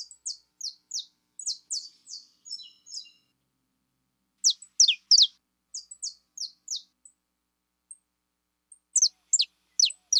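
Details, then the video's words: Saffron finch, described as a fibra bird, singing bursts of sharp high downslurred chirps, fast then pausing, in phrases separated by short silences; background otherwise quiet. "CANÁRIO DA TERRA FIBRA"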